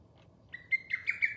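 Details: Lesser cuckoo giving one loud, clear whistled phrase of about five quick staccato notes, each sliding slightly in pitch, the phrase starting after half a second of quiet.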